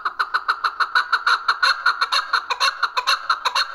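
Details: Chukar partridge recorded on June 18, 2023, giving a loud, rapid series of harsh, clucking chuk notes, about two per second, in a steady rhythm with no other sounds.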